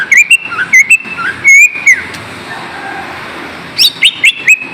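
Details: Lesser green leafbird song used to coax lazy caged birds: a string of slurred whistled notes, a pause of nearly two seconds with faint hiss, then a rising burst of sharp chirps and whistles.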